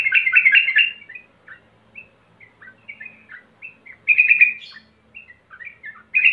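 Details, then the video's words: Sooty-headed bulbul song played as a lure: short dense bursts of warbling notes at the start and near the end, separated by sparse single chirps and quick downslurred whistles. "PANCINGAN BURUNG TRUCUKAN BAHAN CEPAT GACOR"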